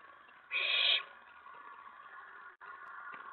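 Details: Owlet inside a nest box at night, May 19 2017, getting excited as an owl lands on the tray after a mouse delivery: one harsh, hissing screech lasting about half a second over a steady low hum.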